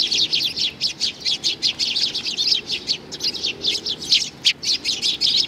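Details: A young sparrow calls with rapid, high chirps in a continuous, busy series, roughly four to five per second, each short and bright, with little pause across the whole stretch and no other clear sounds.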